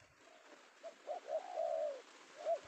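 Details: Spotted dove (tekukur), male penguku type, Indonesia, secured in the afternoon: faint coos rising into one long, smooth mellow note and a short closing coo over hiss.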